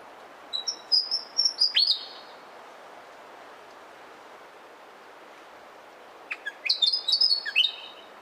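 A Willie wagtail gives two bursts of quick, high, chirpy whistles with sharp downslurred notes, separated by about four seconds of quiet background hiss.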